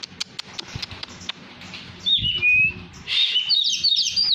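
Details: Hand-tame Oriental magpie-robin, poci variety, in full song. After a stretch of soft tapping and clicks, a short whistled slur gives way to a burst of quick, high warbled notes.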